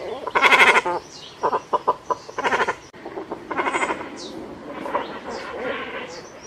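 Cormorants give hoarse, bleating croaks, a loud burst followed by a quick series of short grunts. Thin, high chirps from other birds sound faintly in the background.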